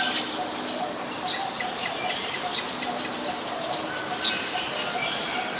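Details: Streak-eared bulbul, a very common resident, recorded in Ubon Ratchathani, Thailand, on 29 February 2020: scattered short high chirps, with one sharper note near the end, over steady hum and background hiss.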